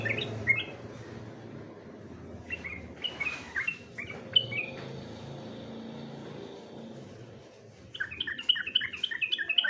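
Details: Sooty-headed bulbul competition song: scattered short whistled chirps early on, then a fast run of bright chirps near the end, over a murmur of low background noise.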